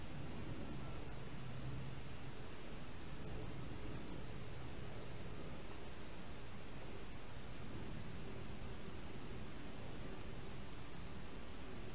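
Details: Only steady broadband hiss with a low rumble is heard, with no animal sound.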